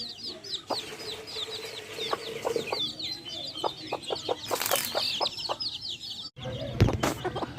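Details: Backyard hens accompanied by chicks give scattered short clucks over continuous high chick cheeping; a low steady hum and a brief rustling burst are also heard.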